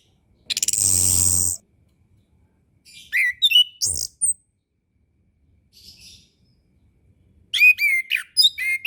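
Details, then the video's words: Tutor song of an orange-headed thrush for young or reluctant birds: a harsh buzzing burst opens, followed by scattered clusters of bright, quick whistled notes, then a dense run of rapid chirps. "MASTERAN SUARA ANIS KEMBANG KHUSUS UNTUK ANIS KEMBANG BARU BELAJAR BUNYI DAN KURANG BIRAHI"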